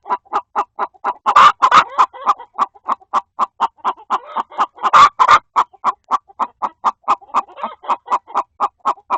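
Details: Hens inside a coop cluck in a steady run of short mid-pitched notes with two louder, harsher squawks, as a second hen seems to scold one trying to lay an egg in a nest box.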